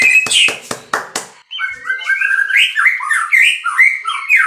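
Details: A few hard clicks open, then a captive-bred white-rumped shama delivers a fast stream of bouncing, sliding whistled notes rising and falling in quick succession.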